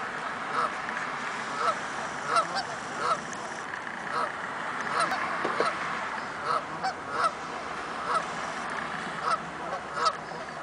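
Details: Canada geese calling before taking off into flight: a chorus of repeated nasal honks roughly every second, mid-pitched with harmonic bands, over a steady background hiss.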